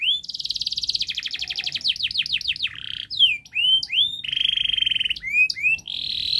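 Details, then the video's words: Canary singing a long, rapid, dense song meant to prompt young canaries to sing sooner. A fast high trill gives way to falling slurred notes, then upward-flicking whistles, a flat sustained trill and more rising chips. "Kenari Gacor Panjang Speed Rapat Untuk Pancingan kenari Paud Agar Cepat Gacor"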